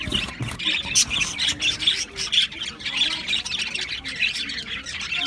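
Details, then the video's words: Australian budgies chirping together in an aviary colony, 11 July 2025: rapid, bright overlapping chirps in pulsing bursts, a loud continuous flock chatter. "Budgies Chirping sounds"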